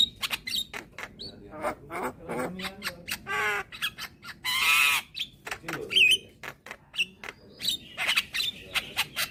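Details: Young white-eyed Javan myna, calling with head bobs to lure hybrid mynas; rapid clicks, rattling squawks and a long loud hissing screech midway, followed by a short looped whistle and more clicks.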